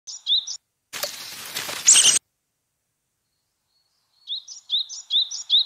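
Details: Yellow-bellied tit giving short bursts of high, sharp repeated notes, with a loud rustling noise burst between the two call bursts and a silent gap before the final series.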